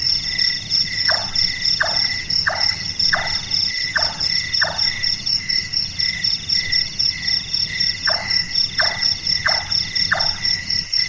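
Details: Large-tailed nightjar (Caprimulgus macrurus), the burung tukang whose night calls are likened to a carpenter at work: a run of five falling chonk notes, a pause, then four more at the same steady pace, with insects buzzing continuously.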